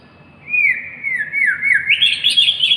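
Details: White-rumped shama singing: after a soft start, a loud run of clear, slurred whistles that dip and rise through the middle range, ending in a brighter, higher warbled phrase, with no other notable sounds.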